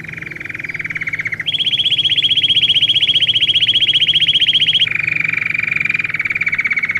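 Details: Song of a Belgian canary for teaching canaries to sing. A fast pulsed roll at middle pitch gives way to a louder, higher trill of evenly repeated notes, then falls back to a lower rolling phrase.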